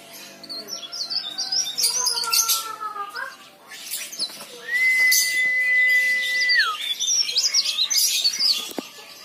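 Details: Leaf warbler singing vigorously, a recording used as a lure to prompt other leaf warblers to sing; high, thin twittering bursts over several lower drawn-out notes, with a long steady flat whistle held mid-clip and a faint murmur in the background.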